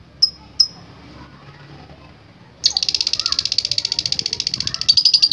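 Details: Lovebird: two sharp high chirps, a quiet pause, then a fast rattling trill of bright notes that continues to the end, faint background noise underneath.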